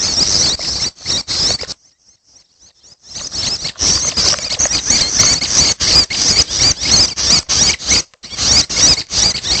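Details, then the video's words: Young red-headed prenjak begging: dense, harsh, hissing bursts pour out almost continuously, broken by short gaps and one near-silent pause of about a second, giving a raspy, sputtering chorus. "Suara Anakan Prenjak Atas || Prenjak Kepala Merah || Suara Anakan Ciang"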